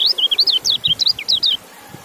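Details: Loud, close white-eye phrase of about a dozen high, looping, down-slurred chirps delivered briskly in a second and a half, ending in quiet.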